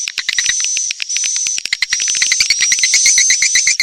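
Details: Edible-nest swiftlet lure sound for swiftlet farmers, Kalimantan: fast pulsed chirps, roughly three per second and somewhat irregular, stacked over a steady high whine.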